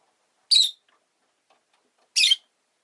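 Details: Two loud, rasping squawks from a rosy-faced lovebird, each brief and harsh, spaced about one and a half seconds apart with near silence between.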